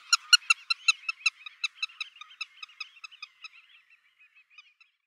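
A black-tailed godwit gives a quick run of about twenty nasal, reedy notes, loud at first and fading away over four seconds.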